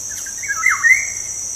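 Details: Lure song of a black-naped oriole, played to encourage kept birds to sing. A single rich, flute-like phrase dips low in the middle and climbs again. A continuous high insect whine runs beneath.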